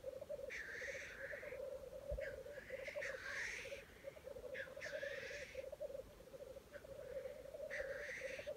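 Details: Black grouse at a lek site in Wales in early 2020: a steady, low bubbling cooing runs throughout, broken every second or few by loud, harsh hissing sneezes.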